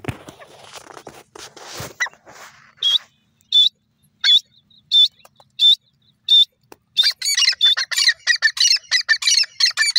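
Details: Grey francolin calling. The first two seconds are low rustling noise. Then come loud, shrill, ringing notes repeated about every 0.7 seconds. The clip ends in a rapid, harsh, chattering burst of notes.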